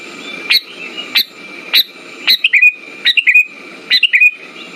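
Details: Sooty-headed bulbul sounds used as a lure for silent birds: single sharp high notes at first, then short bubbly two-part phrases with a falling warble, about once per second, over low hum and a faint steady tone.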